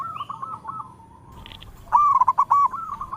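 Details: Local zebra dove singing. A soft, distant cooing phrase comes first, a short pause follows, then a loud, clear burst of rapid stuttering coos with rolling, bubbling notes near the end.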